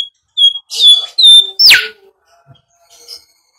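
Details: Bimoli whistling, played as a lure to train birds: a burst of clear, sliding whistles, several level high notes, then a strong fast drop from very high to mid pitch, trailing into quiet twitters.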